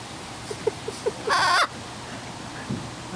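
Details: Blue-throated macaw at ZooTampa, playful with its keeper and trying to bite, recorded on a Canon Vixia HF R10 camcorder: one loud, harsh, broadband squawk lasting about a third of a second. Soft taps come before it and faint background hum runs throughout.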